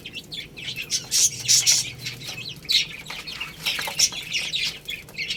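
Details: Chicks feeding on rice, giving high, short chirps in quick overlapping bursts, with pecking and scratching clicks and brief flutters; several birds call at once.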